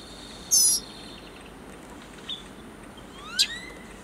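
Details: Northern mockingbird fledgling giving one loud, harsh, raspy high call about a quarter second long, followed by faint short chips and a soft rising note against a quiet background hiss.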